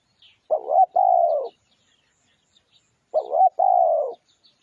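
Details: Spotted dove song used as a lure: two clear cooing phrases, each a burbling double note then a long even coo tapering downward, with faint high chirps in the background.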